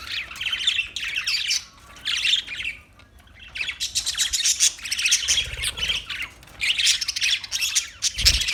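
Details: Parakeet chatter of scratchy squawks and high chirps in long runs, one quiet spell near three seconds, and a low thud at the end.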